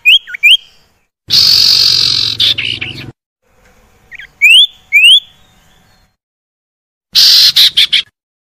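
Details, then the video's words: Common iora (sirtu/cipo) song used as a lure for caged birds that have gone quiet: short upward-flicking whistles in pairs alternating with harsh, buzzy chattering bursts, separated by silent gaps. "PANCINGAN UNTUK SIRTU MALAS BUNYI JADI GACOR"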